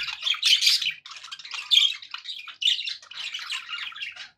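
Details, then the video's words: Pet budgies sounding happy: rasping, chirpy warble in three dense bursts separated by tiny gaps, high and busy throughout. "happy budgie sounds"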